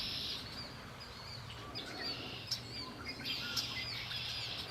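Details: Lakeside birdsong at Lake Erie, a dense high buzzing trill that runs almost throughout, dotted with sharp short chirps and whistled notes over faint low hum.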